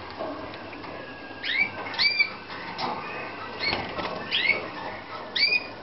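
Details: In a 2014 Romanian breeding room, Slavujar canaries give scattered short upswept tweets, several birds overlapping, with rustling and a continuous low hum beneath.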